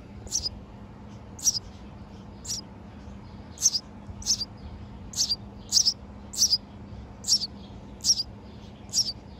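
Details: Very young nestlings in a backyard birdhouse, recorded June 18, 2024, while the mother brings food back and forth. High, thin chirps repeat at roughly one-second intervals, about ten in a row, over a low steady background hum.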